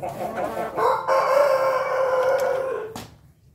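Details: Pelung chicken crowing: a single long, steady, tonal crow of mid pitch held for about two seconds after a short rising start, then fading out, with faint background noise.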